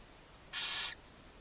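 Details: One sharp, noisy hiss lasting under half a second from the nest-box barn owl family in Ságvár, Hungary, recorded May 4, 2024, as the mother feeds her seven owlets; otherwise a quiet steady hum.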